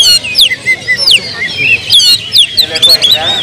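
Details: Oriental magpie-robin in agitated song, used as a lure to provoke other birds. Looping whistled notes are delivered in quick succession, some falling steeply, with softer chatter between phrases and faint voices in the background.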